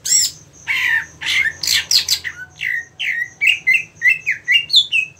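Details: A greater green leafbird, a caged songbird being set up for singing competitions, opens with harsh, raspy squawks, then a quick run of clear whistled notes slurring downward, several each second.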